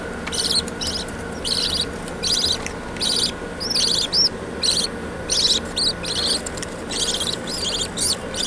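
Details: Budgerigars in a small home setup, 27 June 2017, chatter in quick, scratchy bursts of high chirps, repeated every second or so.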